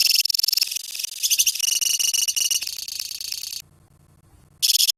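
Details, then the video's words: Lovebird colony giving the long chattering 'ngekek' song: dense, buzzy, high-pitched trilled pulses in rapid bursts, breaking off briefly near the end before resuming. "KICAU LOVEBIRD KOLONI INI TERBUKTI HANYA BUTUH WAKTU 4 MENIT SAJA LANGSUNG NGEKEK"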